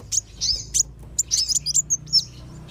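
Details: Sunbird lure call said to work for two kinds, kolibri wulung and sogon, meant to bring wild birds down; short, very high thin chirps and slurred twittering notes in quick uneven bursts, with a faint low hum underneath.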